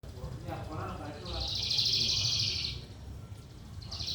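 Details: Lark singing in a lively, chattering 'trotolan' style: one dense, buzzy burst of rapid high notes lasting about a second and a half, with faint voices and background noise before it and a brief restart at the end.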